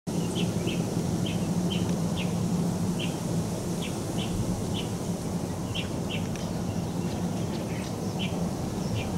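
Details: Little bunting resting on a shaking tree stick, Metropolitan Park, Taichung City, Taiwan, 29 November 2021: short, sharp ticking calls, irregularly about once a second, over loud steady low wind-like rumble.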